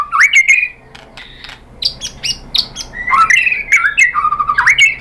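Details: Shama song used to stir other shamas to sing: rich slurred whistles mixed with short buzzy notes, pausing briefly, then resuming in a fast flowing string of varied phrases.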